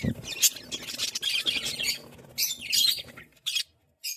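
Budgerigars chatter in bursts of high, scratchy warbles and squawks.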